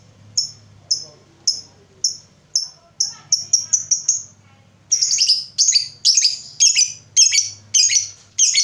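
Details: Lovebird used as a singing lure: a run of thin, high chirps speeding up into a quick burst, then a pause and a string of louder, harsher chirps about half a second apart, over a low hum.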